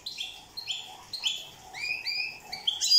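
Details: Corsican European goldfinch singing: a quick run of bright, tinkling twittered notes, some sliding upward, others dropping, strung closely together with little pause over three seconds.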